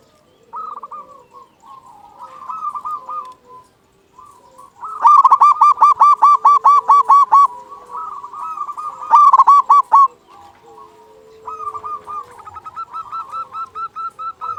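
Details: Actively singing local zebra dove, used as a lure to make other zebra doves sing: several loud runs of quick, evenly pulsed cooing notes with a ringing tone, alternating with softer trills and a lower hum-like note.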